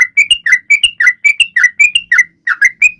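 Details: Sooty-headed bulbul in full voice to stimulate other birds: rapid whistled chirps, many paired with a rising upslurred note, repeated briskly with one brief gap.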